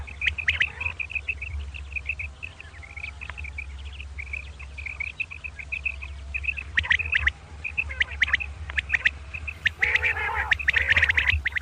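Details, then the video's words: Common quail calling in the morning: long series of quick high clipped notes in small groups, with scratchy clicks and a harsh buzzy burst near the end, over low hum. "Common Quail Calling Batair Ki Awaz | Suba Batair Lagty Waqte Ki Awaz | Double Batair kirk Karkar"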